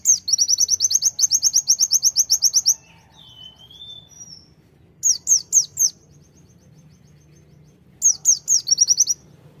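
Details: High-pitched tembakan song from a konin Sunda white-eye: a long fast volley of piercing chirps, a brief lower whistle, then two short clusters of steeply falling notes after quiet gaps.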